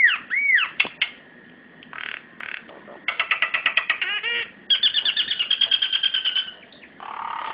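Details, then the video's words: A caged Javan myna gives a varied run of harsh squawks, whistled swoops and rapid buzzy rattled phrases, mostly high-pitched and loud. "Burung Jalak Kebo"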